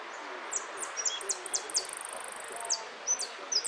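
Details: Saffron finch at a singing contest: sharp, high chirps and quick upslurred notes with a thin sustained trill in the middle, over steady background hiss.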